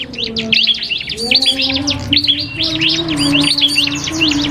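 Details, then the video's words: Duel between a cipoh kristal (common iora) and a prinia, a tutor track for caged songbirds: rapid high chirped phrases with slurred whistles, nearly unbroken, backed by a faint low drone. "FULL DUEL SUARA Cibelk kristal VS prenjak MASTERAN"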